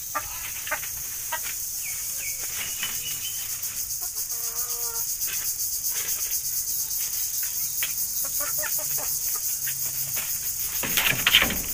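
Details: Rooster crowing in the morning: one short, harmonic-rich crow near the middle, with scattered clucks and clicks around it over a steady high insect drone.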